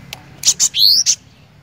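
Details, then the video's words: Cinereous tit in prolific 'gacor' song: one high phrase of two sharp chips, a bright whistled upward sweep, and a final chip, crisp against a quiet background. "Kicauan Glatik Batu Gacor"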